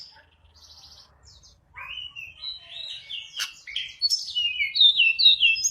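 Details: Sunda robin song used to lure other birds: faint opening notes build into loud, warbled whistled phrases, swooping up and down in rapid succession, becoming fuller toward the end.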